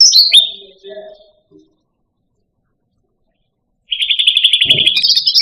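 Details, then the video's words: Pet cucak rante songbird: a few high descending notes, several quiet seconds, then a rapid, even, buzzy trill ending in a higher note. "Suara Burung Cucak Rante"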